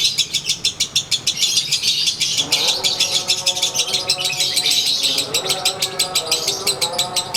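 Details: Konslet lovebird ngekek during a rare sunbathing session: rapid, evenly pulsed high chatter of roughly three notes a second, joined midway by several steady lower whistles.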